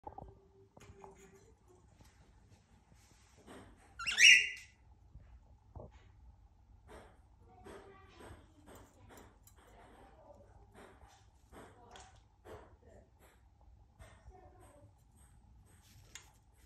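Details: A female pet cockatiel bathing in her water bowl gives one loud, harsh screech amid soft splashing and tapping sounds.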